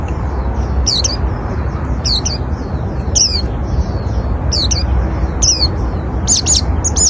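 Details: Oriental white-eye singing to attract other white-eyes: high, thin chirping phrases repeated roughly once a second throughout, ending in doubled sharp notes, with a continuous low background hum.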